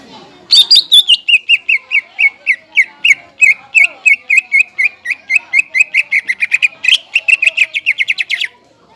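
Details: Greater green leafbird song, played as a lure for untrained leafbirds and for tutoring. A high opening flourish, then a fast steady run of clipped, ringing chirps for about eight seconds before it stops.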